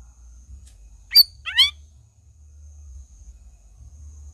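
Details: Energetic 'gacor' black-crested bulbul delivering two quick bursts: a sharp high flick, then a tumbling cluster of warbled, rising and falling notes, with quiet pauses and soft low background rumble around them.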